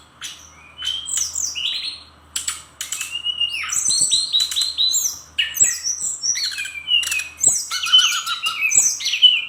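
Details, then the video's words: Brown-chested jungle flycatcher from Bali in rich, rapid full song: a dense stream of varied whistles, upslurred and downslurred notes, quick twittering runs and harsh rasping bursts, with few pauses. "Kumpulan Kicauan SRDC Gacor Nratak Nembak Isian"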